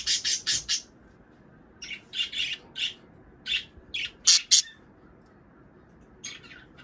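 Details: Budgerigars chirping, used to encourage pairs to mate and lay eggs; a fast run of four sharp squawks, then spaced single chirps roughly every half second, and fainter calls near the end.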